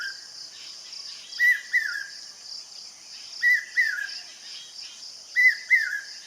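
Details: Brain fever bird, or common hawk-cuckoo, calling its piercing three-part "brain fever" phrase three times, each about two seconds apart, against steady shrill insect drone.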